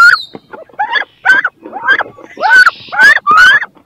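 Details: Inside a nest box, two wood duck hens fight to lay and brood there; a rapid run of rising, whistled squeals, growing louder and closer together, mixed with a harsh hiss and wing or body scuffling.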